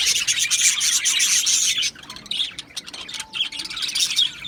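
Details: Aviary-kept Australian budgie colony, 12 July 2025: dense high chirping fills the first two seconds, then thins to scattered squeaky chirps and short bursts, with one thin steady whistle near the end.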